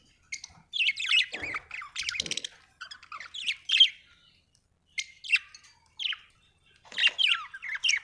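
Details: Australian budgie chirping: a lively run of warbled, scratchy chatter with quick rising and falling whistled notes and squeaky chirps, broken by brief silences, in a quiet setting.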